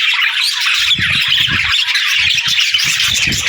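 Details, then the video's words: Dense parakeet chatter with constant high twittering and squeaky notes, accompanied by frequent low bumping sounds across most of the clip. "Budgie Talking | Parakeet Singing"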